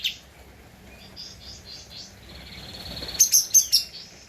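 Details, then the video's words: Javan white-eye in full song, recorded as a master for training cage birds: faint high thin notes at first, then a short burst of four loud, sharp, very high chirps near the end. "Kapas Tembak Gacor untuk Masteran (suara asli)"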